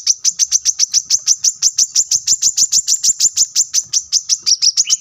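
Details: Brown-throated sunbird in full song, kept as a training recording for caged birds: a long, steady run of piercing, clipped chips, about three each second, closing with a lower whistled note.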